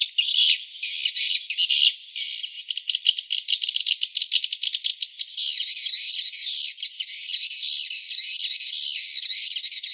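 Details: Swiftlets twittering in a dense, continuous, high-pitched chatter of rapid buzzy chirps, with a stretch of rattling clicks in the middle before the smooth twittering returns.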